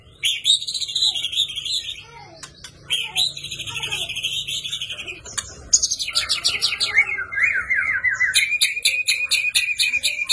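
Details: Energetic fighting song of a champion white-rumped shama, full of 'isian' for mastering birds: sustained high buzzy trills, then steeply repeated descending notes and a long rapid rattle, over a low background hum.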